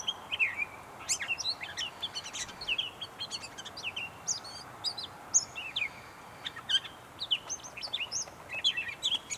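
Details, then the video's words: Gray catbird at North Tetagouche, New Brunswick, singing a long, continuous medley of varied chirps, squeaks, slurs and short whistles, delivered in rapid, uneven bursts with no set repeating pattern. "Gray Catbird"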